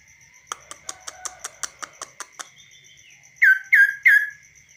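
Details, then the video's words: Tame kaso-kaso bird singing on a hand, uncaged. About ten rapid, evenly spaced ticking clicks come first, then three loud, clear down-slurred whistled notes, with a constant faint high tone in the background. "BURUNG KASO KASO GACOR DI TANGAN TANPA SANGKAR"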